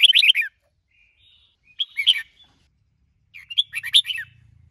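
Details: Red-whiskered bulbul being trained to sing, spurred by a female bird; three short clusters of bright, tumbling whistled notes separated by silence, a faint low rumble at the end.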